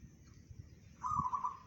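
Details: Local zebra dove singing bedah karang style, reported to carry 500 metres; after a second of quiet one brief, quavering trilled coo phrase sounds over soft low rumble.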